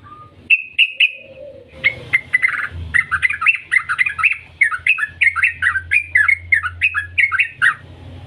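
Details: Yellow-vented bulbul singing in the long 'ngetir' style, used to coax bulbuls into song: a few short trills, then a lively, sustained stream of quick bubbling, rising-and-falling chattering notes over a low steady hum.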